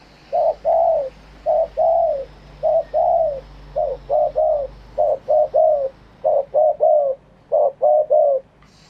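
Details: Spotted dove cooing live in the wild-style phrasing; about fourteen soft mid-pitched coos in paired and triple bursts, spaced roughly evenly over nine seconds, some slightly falling at the end, over a faint steady low hum.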